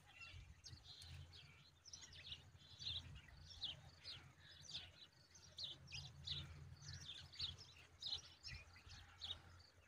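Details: Baby bulbul eating a large grasshopper, calling with a steady series of sharp, high chirps, some in quick pairs, over low background hum.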